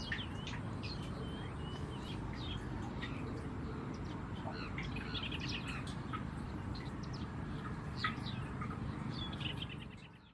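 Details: White-rumped munias feeding on seeds in Burma, giving many quick high chirps and short twittering bursts, busiest in the middle of the clip, over constant low-pitched background noise.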